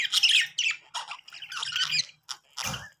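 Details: Playing budgerigars, happy, make a rapid scratchy squawking warble with several quick bursts, ending in a harsher broad squawk.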